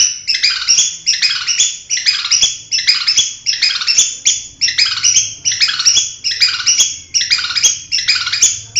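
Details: Long-tailed shrike, a champion competition bird, singing a loud, harsh, buzzy phrase that falls and repeats roughly every three-quarters of a second, steady and insistent, with faint background hum.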